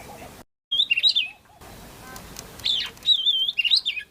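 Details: Oriental magpie-robin singing clear, high whistled phrases with rising and falling slurred notes and quick twittery flourishes, two bursts separated by a brief silent cut and softer lower notes, over light background hiss.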